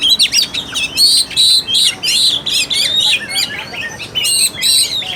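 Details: Oriental magpie-robin lure song used to provoke a lazy, unaggressive bird: loud, buzzy, scratchy phrases repeated in bursts with short gaps, high-pitched and harsh throughout.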